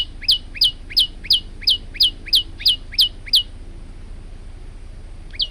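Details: Lively male olive-backed tailorbird, kept for tutoring other birds, gives ten crisp descending chips at an even pace of about three per second. A pause follows, then a single last chip.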